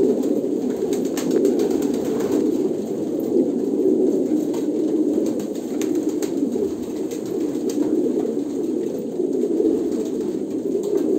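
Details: Low rolling coos from a group of Kolkata pigeons run on for the whole stretch as one dense, even drone, with brief clicks and flutters now and then.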